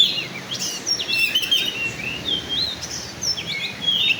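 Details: Oriental magpie-robin of the black-and-white form, singing in a showy style: quick, varied whistled phrases, sharp upslurs and short trills, high-pitched and bright, with brief gaps between phrases over faint background hiss.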